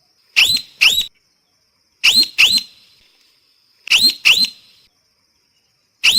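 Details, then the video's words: Loud parrot squawks, each rising sharply, delivered in doubled bursts roughly every two seconds. Quiet gaps fall between the pairs. "เสียงนกแก้ว, Parrot sound"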